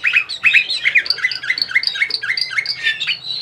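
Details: Singing Bulgarian canary, Sofia, Bulgaria, 2020: a continuous fast series of bright upslurred and downslurred chirps, several per second, with high ringing overtones and an even, rolling rhythm throughout.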